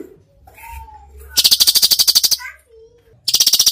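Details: Cucak cungkok singing gacor with full tembakan: soft whistled slurs, then a long dry rattle of about fifteen rapid clicks, more short whistles, and a second rattle starting at the end.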